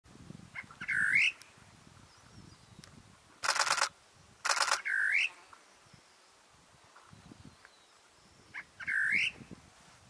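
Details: {'caption': 'Great parrotbill giving loud, harsh, upslurred calls with rich harmonics, spaced a few seconds apart, three heard; two sharp broadband bursts of noise in between and faint low rumbling beneath.'}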